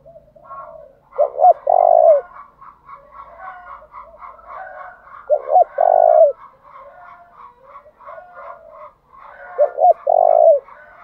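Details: Decoy spotted dove calling to lure wild doves, in the 'thúc' cooing style and changing its phrase pattern constantly. Three loud, low cooing phrases come about every four seconds, each a short double note and then a long held coo, with softer murmuring between.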